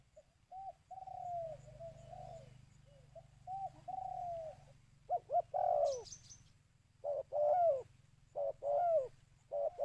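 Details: Spotted dove call for luring birds, opening with softer drawn-out level coos, then louder abrupt paired coos with a falling, slurred note; a brief high chirp partway through and low hum beneath.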